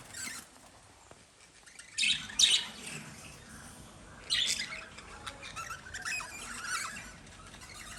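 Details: Scattered harsh chirps and squawks from lovebirds in separate short bursts, with quiet gaps between them.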